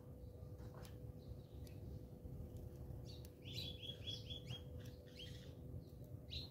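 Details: House sparrows fighting in South Africa: faint scattered chirps, then a quick series of five or six similar high chirps near the middle, with more chirps at the end over a low background hum.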